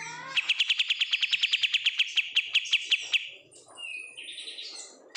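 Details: Caged oriental white-eye, kept and raised from bulk-bought market stock, singing a rapid, even trill of sharp high notes about seven per second for three seconds, then a brief pause and thin, rising whistled phrases.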